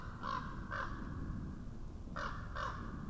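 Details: Common raven calling near an Estonian webcam in 2017: four hoarse, nasal croaks in two quick pairs about two seconds apart, over a steady low rumble of wind or background noise.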